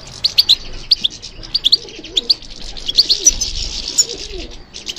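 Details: European goldfinch singing in response to stimulation, with sharp high chirps in small groups and a brief whistled note, over soft, repeated dove cooing in the background.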